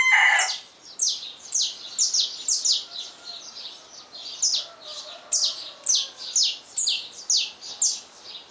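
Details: Dawn song of a Saffron finch: a brisk run of bright, high, down-slurred chirps, repeated unevenly at roughly two per second, after a brief loud harsh note at the start.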